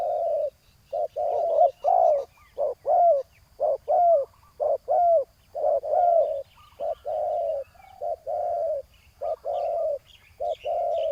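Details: Spotted dove with a big voice responding to a decoy on the ground: dense sequences of low hoarse coos, some notes curving downward, with thin high bird chirps in the background.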